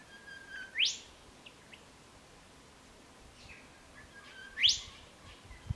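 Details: Spotted pardalote, one of a pair choosing a nest site and checking burrows, early September 2016, Chiltern Track, Ku-ring-gai Chase National Park, NSW: two sharp rising notes about four seconds apart, each led by a soft lower note, over quiet bush.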